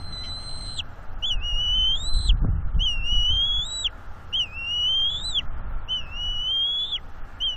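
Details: Juvenile bald eagle in northeast Florida, April 2021, mantling and guarding two fish from its parents at the nest; a run of about six clear, high whistled squeals, each rising then dropping sharply at the end, over low wind rumble.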